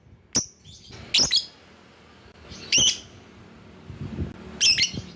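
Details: Lovebird lure calls aimed at rivals: a thin sharp chirp, then three harsh doubled screeches spread over five seconds, with faint low noise between.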